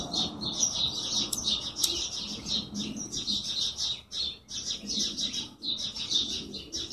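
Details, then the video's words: Birds chirping in a dense, continuous chorus of short high bright notes, many overlapping calls with a faint low background rumble throughout. "Chirping Birds"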